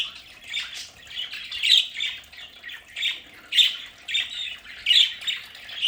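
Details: Budgerigars at home in their play area squawk steadily, with harsh, raspy calls about every second and some chirps overlapping between them.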